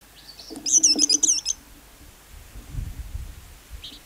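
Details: Lark giving a brief, high, twittering phrase of quick chirps lasting about a second, followed by soft low rumbling and a single faint note.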